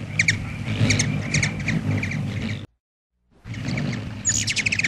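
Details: Black-chinned hummingbird at a feeder giving quick, high, dry chips in short bursts, about two a second, over a steady low rumble, with a brief silent break.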